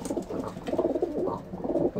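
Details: Racing pigeons from a loft's flying team in September 2017, raising a round of chicks after the racing season: soft, throaty cooing in low pulsing phrases, several overlapping rolling coos in an indoor space.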